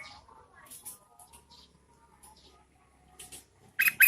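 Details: In the rainy season, a female Yellow-vented Bulbul calls to entice males. Mostly quiet with faint thin whistled traces, ending in a sudden loud pair of harsh, bright chirps.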